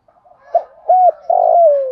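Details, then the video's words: A spotted dove used as a decoy cooing in the morning to call the flock: a soft, low three-part coo, a short note, a slightly longer one, then a drawn-out falling coo, all within two seconds. "chim cu gáy mồi gáy gọi bầy buổi sáng"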